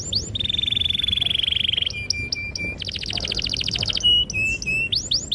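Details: ['Canary song with long rolls, played to train young birds: a sustained fast trill, a pulsed buzzy roll, then scattered sweeping whistles and chirps.']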